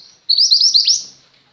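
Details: Female white-eye of the mantenan gunung type singing steadily, a tutor recording for pet white-eyes: a single high, rapid chain of thin warbled notes rising and falling, ending in a downward slur, in a quiet setting.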